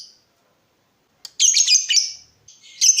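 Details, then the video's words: Lovebird described as a lively, vocal bird used as a tutor for other lovebirds: a burst of harsh, high rasping squeaks lasting under a second, then a brief pause and another shrill squawk. "Pancingan lovebird terbaik bikin lovebird anda panas"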